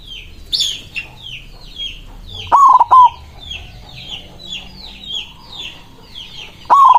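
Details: White zebra dove singing with a big voice to call rivals: one full stuttered coo in the middle and another starting at the end, while other birds chirp steadily in a high, sweeping chatter.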